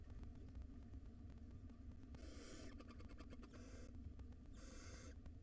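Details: Barn owl chicks in a nest box wheeze out three harsh hissing screeches in the second half of the clip while hungry at feeding time, preceded by rapid clicking and constant low rumble.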